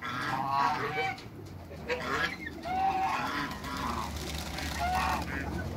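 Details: Backyard couple of African geese among other waterbirds, giving harsh honking calls with some overlapping nasal notes over a constant low rumble.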